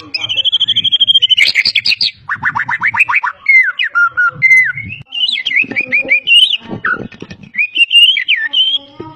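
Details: Prize-winning white-rumped shama from Medan singing vigorously with mimicry of other species: a long trilled whistle, fast buzzy rattles, slurred whistled notes and varied imitated phrases.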